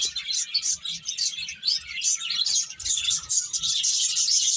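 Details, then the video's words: Many small birds chirping together in a dense, continuous chorus of high, rapid twitters and tweets that overlap without pause, rising and falling in loudness. "Cute Birds Chirping Sounds"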